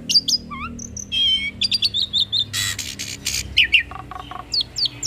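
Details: Crossbred hybrid starling singing a varied song loaded with imitations, used as tutor material for Javan pied starlings and other songbirds: rapid whistled notes, rising and falling slurs, buzzy bursts and chirps in quick succession.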